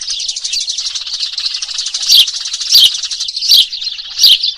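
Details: Eurasian tree sparrow lure sound for trapping: a steady rapid twitter, then four strong descending chirps about 0.7 seconds apart that stand out above the chatter.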